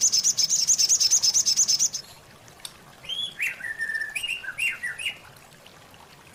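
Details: White-rumped shama (murai batu) rich fill-in song made to train caged birds: a rapid high trill for two seconds, a pause, then a series of lower, varied whistled phrases.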